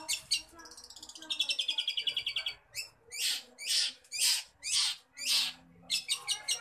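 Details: Long-tailed shrike (cendet) in lively full song: scratchy opening notes, a rapid thin buzzing trill, then loud harsh rasping phrases about every half second, ending in quick chattering notes.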